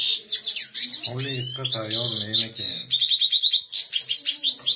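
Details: Goldfinch twittering continuously with high chirps, short buzzes and quick trilled phrases, while a human voice speaks briefly underneath in the middle of the recording.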